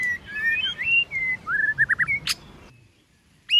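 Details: White-rumped shama singing in competition, a string of gliding whistles followed by a rapid series of short looping notes and one sharp snap.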